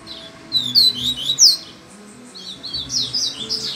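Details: A Double-collared seedeater, said to sing while hanging upside down, gives high, sharp, sweeping whistles, then a quick buzzy twittering run, over a faint low indoor hum.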